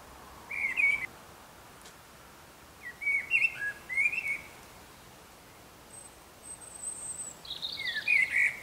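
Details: Before daybreak, a Eurasian blackbird delivers several short, fluting warbled phrases separated by pauses, while a European robin adds thin, high, drawn-out notes in the background.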